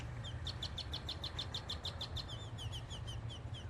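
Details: A Great-tailed Grackle calling excitedly in a store parking lot: a fast, even string of sharp, metallic clicking notes turning into short slurred whistles, over a steady low engine rumble.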